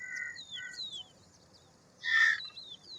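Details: Indian roller giving one strong rasping, broadband call after two even tonal notes and several descending whistles from other birds.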